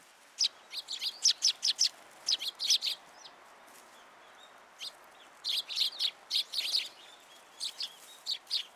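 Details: Several sparrows coming to a shrine feeding platform for food, Tenmangu, 14 February 2023; lively bursts of sharp high chirps in clustered groups of three to five, with short pauses between bursts, over quiet background hiss.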